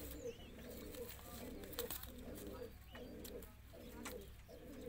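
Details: Roller pigeon cooing in low, rounded notes repeated roughly every three-quarters of a second, with a steady low background hum and brief clicks.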